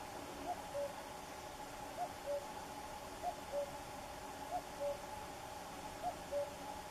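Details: Soft, far-off common cuckoo song: six descending two-note phrases, a short high note then a lower held one, at regular intervals of about 1.3 seconds, over background hiss.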